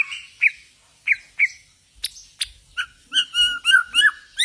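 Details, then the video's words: White-rumped shama of the Borneo type, a kept songbird shown in a bowing posture, giving clear whistled and slurred notes around the upper-middle range, first spaced phrases then a quicker run of rich, fluty, repeated syllables with a few sharp clicks. "Murai Borneo gaya sujud"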